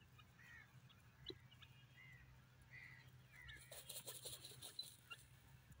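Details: Grey francolin, the desi teetar, calling: four brief harsh, arching notes given roughly once a second, then a burst of broadband rustling and clatter drowns the end, with a low background hum throughout.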